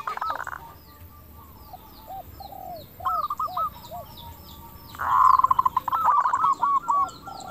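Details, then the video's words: Local zebra dove with a clear 'crystal' voice, calling to lure other doves into answering: scattered soft coos through background hiss and faint chirping, then a loud, fast run of staccato coos midway. "PERKUTUT LOKAL GACOR SUARA KRISTAL - Pancingan perkutut bikin cepat nyaut"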